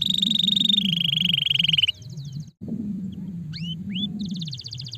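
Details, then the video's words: Stimulating canary song: a long fast buzzing trill, a short break, then a few scattered upslurred whistles and a rapid high trill, with steady low-pitched noise underneath. "Quick to stimulate the sound of the sluggish canary"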